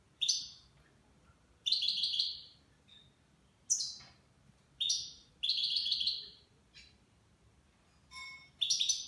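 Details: Nine-month-old goldfinch singing in the Levantine (Shami) song style: short bright twittering bursts, high and buzzy, repeated about every one to two seconds with brief pauses, each phrase sliding down, with a faint low hum behind.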